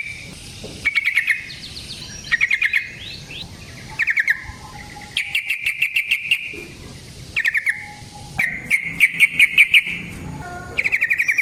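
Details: Yellow-vented bulbul in aggressive fighting vocalising, played as a lure and a training master; buzzy rattling bursts with dense ticking, each lasting about half a second, separated by short pauses, some bursts longer and rising in pitch.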